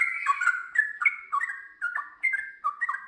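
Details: Trucukan, or sooty-headed bulbul, in full ngiwir-then-long-ropel song: quick bubbly mellow notes jumping between two pitches, rolled out in rapid uneven bursts with tiny gaps, clean and close.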